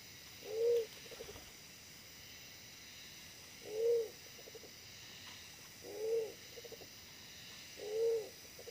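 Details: Wild pigeon used in decoy trapping, the decoy smaller-bodied than usual but very fierce; a low hollow arched coo followed by a short stuttering burst of soft notes, repeated about every two to three seconds over a steady hiss.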